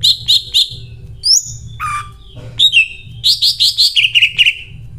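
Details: Greater green leafbird in full song, delivering bursts of loud, sharp repeated chirps in quick threes and fours, with a buzzy slurred note and a falling whistle between, over a steady low hum.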